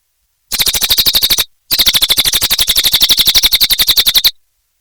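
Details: Cililin bird singing vigorously in two quick runs of piercing, high-pitched chirps, each note crisp and closely spaced, with a short gap between the runs.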